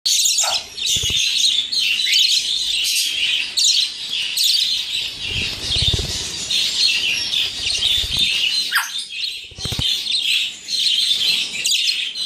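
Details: Handfed pet budgerigars being played with chatter constantly with bright, scratchy chirps and warbles, with occasional low thumps in the background.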